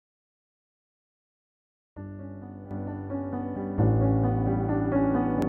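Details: Two seconds of silence, then piano music builds in layered chords, with no animal sounds.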